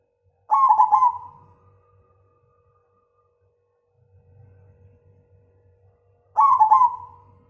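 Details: Loud-voiced zebra dove, cemani Majapahit type, delivering two deep resonant coos about six seconds apart, each a short warbling note trailing off, with a faint steady hum and low rumble between them.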